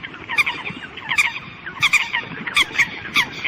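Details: Flock-calling Eurasian coots give clipped, nasal, honk-like notes in irregular clusters, several birds overlapping in a busy chorus.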